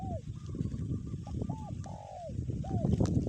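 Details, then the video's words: Spotted dove decoy bird cooing in the kuk 1 style despite strong wind: short looping coo notes and a longer slurred descending coo, heard over loud, steady low wind roar. "angin kencang pikat tetep bunyi kuk 1"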